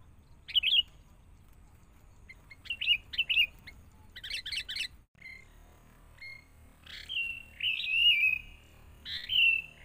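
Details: Young wild sooty-headed bulbul under training, a decoy bird set out nearby: varied chattering bursts and rapid stuttered notes, then longer clear whistled slurs that rise and waver, ending on a sharp note.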